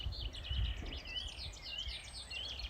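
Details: A song thrush by a river in Scotland sings a busy run of bright, varied chirps and twittering notes, repeating phrases two or three times before moving on, including mimicked sounds, over a low rumble of wind and outdoor noise.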